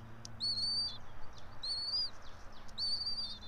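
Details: From the Johnson City, Tennessee nest of a local bald eagle pair, 90 feet up in a pine, at 06:28 on 04.03.2024: three high, drawn whistles, each sagging at the end, with a low hum and faint clicks.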